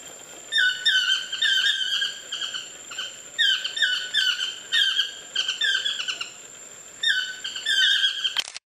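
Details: Wild Chestnut-mandibled toucans calling from trees near a lodge on Costa Rica's Osa Peninsula; series of loud, harmonically rich yelping notes grouped into bouts, several bursts over eight seconds, a steady high whine in the background and voices.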